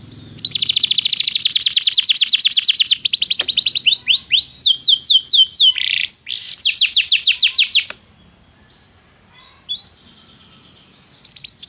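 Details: Canary song played to prompt a silent canary to sing: long rapid high trills of repeated notes for about seven seconds, shifting into swooping slurred notes and buzzy rolls, then fading to faint scattered chips.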